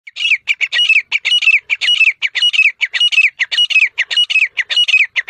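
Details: Grey francolin (desi teetar) calling in the jungle: loud, harsh, rasping notes repeated quickly in a steady rhythm, nearly two per second, each with a slightly falling tone, with no other sounds.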